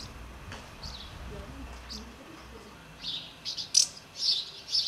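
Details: House martin feeding young ones, Přerov-Kozlovice, Czech Republic: soft sparse chirps early, then a denser cluster of sharp high twittering notes in the last two seconds.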